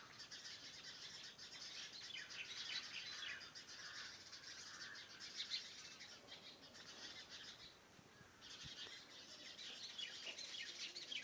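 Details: Morning birdsong around a farmhouse: a dense chorus of high twittering and chirping from many birds, continuous with a brief lull, over steady background hiss.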